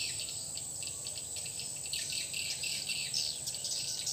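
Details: Newly fitted lure call for a swiftlet house: fast, irregular high chirps, roughly four a second and growing louder toward the end, above a continuous high hiss.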